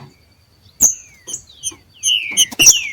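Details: Green-winged saltators, two males countersinging in the wild: after a sharp tick, a few thin descending whistled slurs, then a denser burst of whistles and clicks.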